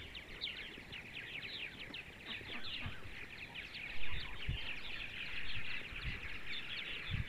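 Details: Central Ohio purple martins on a sunny Sunday morning: quick, buzzy chirps tumbling over one another, with occasional soft low thuds and a brief rumble midway.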